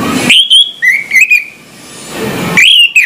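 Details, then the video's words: Orange-headed thrush in the morning, giving drawn-out clear whistles that dip and level off, separated by soft rushing background noise. "suara anis merah plong pagi hari bikin sengat bunyi anis merah macet"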